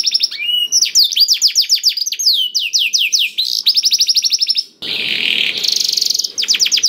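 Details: Canary song for prompting other canaries to sing: quick runs of high downward-sweeping notes and rapid trills, broken by a harsh buzzy burst before the trilling resumes.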